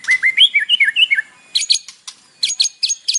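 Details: Morning white-rumped shama song with isian fill, played to spur caged birds to respond; a run of looping whistled notes gives way to clusters of sharp, high chips.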